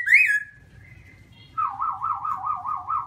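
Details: Singing black-throated laughingthrush with white cheeks gives a high rising whistle drawn out flat, then a fast rolling warble of repeated wavering notes.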